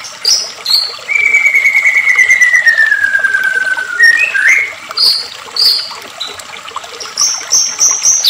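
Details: Emotional white-rumped shama song used as a lure to trigger shamas into singing: a long, pure, slowly falling whistle, a quick twisting flourish, then short high piping notes.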